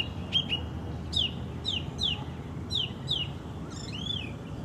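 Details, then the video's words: Wild orange-banded thrush (anis cendana) repeating clear descending slurred whistles in pairs, about two per second, ending on a looping upward-then-downward note; faint low rumble underneath. "Anis Cendana Kicau Isian Liar"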